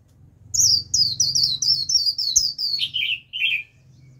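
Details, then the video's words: A lure warbling white-eye sings to attract wild birds, a fast, high twittering run of thin chirps that slides lower toward the end, over a faint low hum. "Vành khuyên mồi gọi bổi cực tốt, bổi đến cả đàn, bật líu theo."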